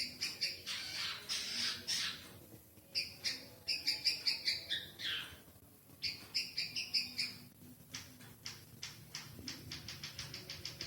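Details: White-headed munia trained on canary song, singing in broken bursts: scattered high chirps and short trilled phrases with irregular pauses and a faint background hum.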